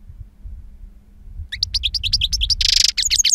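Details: Wild-type song of a two-year-old European goldfinch noted for a powerful timbre and long calls: silence for a second and a half, then quick high twittering notes and a harsh buzzy burst, over low background rumble.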